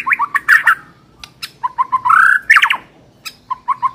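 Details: White-rumped shama used as a training lure: clusters of short chattering notes, a sustained rising whistle with sharp overlaid clicks, and quiet gaps between phrases.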